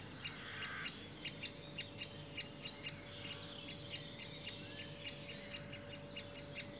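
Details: Great spotted woodpecker adult with young; rapid run of sharp clicky calls, several per second, over a faint continuous hum.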